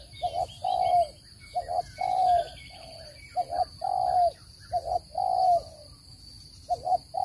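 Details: Repeated coos of a spotted dove, a recording meant for bird trapping: three phrases, each a short paired coo followed by a long descending note, against a high steady tone and twittering songbirds.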